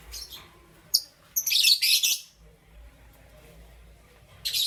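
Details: Morning chirping from pet lovebirds of Parblue Euwing Green Opaline and Green Opaline colouring: a few scattered high chirps, then a dense scratchy burst of rapid calls, silence, and a final chirp.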